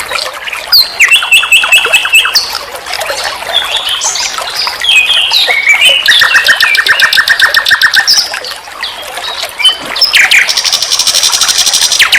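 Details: A nightingale on a master track for training songbirds, delivering varied song: a level whistled trill, scattered chirps, a long even rattle of repeated notes, and a closing high rapid buzz.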